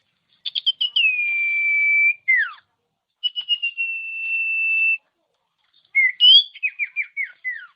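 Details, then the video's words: Common iora song used as a training recording to provoke other ioras into singing: a long level whistle held over a second, a rising trill of short notes, then a falling series of downslurred chirps, with clean silence between phrases. "Masteran Burung Cipow/Sirtu||Bikin Sirtu Emosi"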